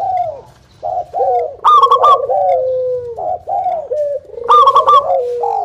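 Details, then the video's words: Local zebra dove singing as a lure to draw other doves into song: low mellow cooing phrases with rolling, bubbling trills, interrupted by sharper bright notes, repeated in short irregular bursts. "SUARA PANCINGAN PERKUTUT BIKIN EMOSI MALAS BUNYI IKUT NYAUT"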